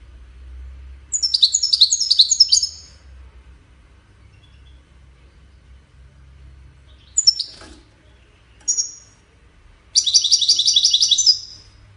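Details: European goldfinch singing: a rapid twittering burst of high, tinkling notes, then a few isolated chirps and a second dense twittering phrase near the end, with quiet pauses between and a faint low hum beneath.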